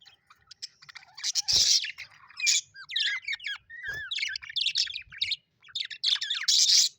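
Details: Pet budgerigars chirping happily: a busy stream of high warbling notes, short upswept whistles and harsh scratchy bursts, several birds overlapping with brief pauses between bursts.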